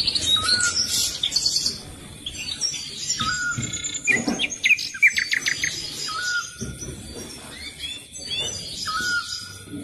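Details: A captive-bred European goldfinch × Eurasian bullfinch hybrid sings a busy, tinkling twitter, broken every two to three seconds by a short, flat, soft whistled note, with faint background rustling.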